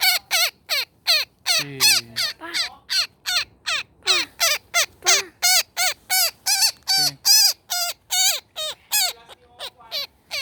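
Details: Netted woodpecker being freed by rescuers, described as angry and calling for friends: a long, rapid series of harsh, ragged squawks, nearly three per second, with brief low human voice sounds around two and seven seconds.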